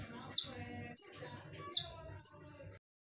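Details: Lure song of a konin, sharp and ringing: four high clipped chirps spaced roughly half a second to a second apart, alternating a descending note with a flat whistled one, over faint low background rumble.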